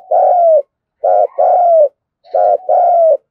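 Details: Kích bổi cooing of a spotted dove, used to set doves cooing quickly: paired deep coos, a clipped note then a drawn-out falling one, repeated three times at a steady pace with short silences.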